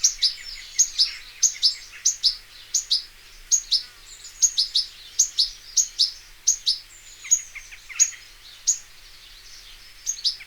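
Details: European goldfinch recorded in nature: a steady run of crisp, high, tinkling notes, some doubled, about two per second, easing into a softer, looser twitter near the end before the sharp chips resume. No other sounds intrude.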